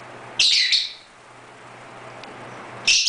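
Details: Two brief, piercing lovebird chirps separated by a quiet two-second gap with steady low room hum, recorded as pet lovebirds romp in their birdroom.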